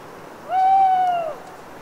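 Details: Lone owl calling at night in an autumn woodland of the Cévennes foothills near Les Assions, France, after long rain: a single drawn-out, steady mournful hoot lasting under a second, against soft background hiss.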